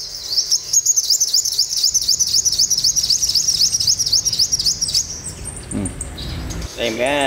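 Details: A freshly caught olive-backed sunbird, tamed over a morning, sings a fast high trill of repeated rising-falling notes, about four a second, for five seconds. Lower chirps and a sliding note follow at the end.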